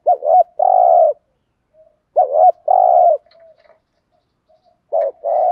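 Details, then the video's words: Spotted dove kept as a decoy, cooing 'thúc gù' to attract wild doves: double short notes run into a longer low coo, repeated twice with a long gap, a third set beginning at the end. "chim cu mồi bài bản THÚC GÙ bài bản nhất hiện nay, cu cườm bài bản dùng kích bổi hiệu quả"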